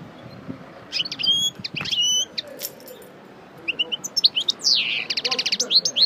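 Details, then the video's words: European goldfinch, parva, coupleur bird after its moult, singing again: high twittered phrases and a drawn-out buzzy note, then a fast rattling series of repeated chips, against light background hiss. "Chardonneret Parva Coupleur Sortie De Mue Repasse Le Chant"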